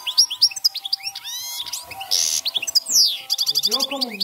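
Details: European goldfinch in 'cante campero' song, giving rapid high chirps, rising slurred notes and a buzzy burst, mixed with a short hiss and some lower wavering tones near the end.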